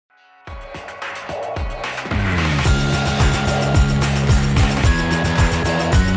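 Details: Music with heavy rhythmic beats and sustained tones that builds after a short silent start; no animal voice.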